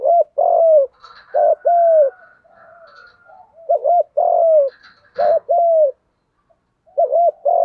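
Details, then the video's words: Spotted dove, male and female, in 'thúc gù' style cooing used to train decoy birds and stir other doves to coo: a quick double note then a longer arched coo, repeated about four times, with soft chatter and a click between. "Giọng chim cu gáy thúc gù bài bản, dùng để anh em mở lên luyện mồi và bổi gáy theo và kích cho gáy"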